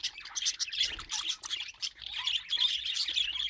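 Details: Continuous budgerigar warbling from several pet birds: fast scratchy chirps and squeaky whistles tumbling over one another without a break.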